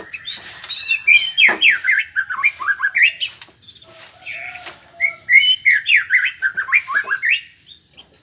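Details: White-rumped shama in morning song, two lively phrases of fast, tumbling whistled notes and chirps separated by a short quieter gap, each note sharply accented.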